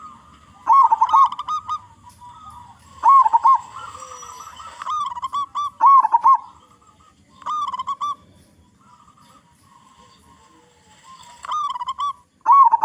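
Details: Local perkutut zebra dove with a large voice, used as a lure so other zebra doves start singing; loud rolling coo phrases come in irregular bouts with a softer sustained coo and pauses between.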